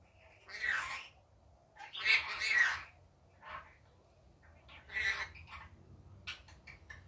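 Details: Rainbow lorikeet in daytime giving harsh, noisy screeches in bursts, some drawn out over half a second, separated by quieter gaps with faint softer chatter.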